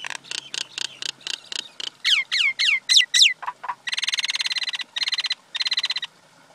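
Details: Male and female common mynas run through a varied medley: a string of harsh clicking notes, several loud down-slurred whistles, then rapid buzzy chattering rattles in bursts.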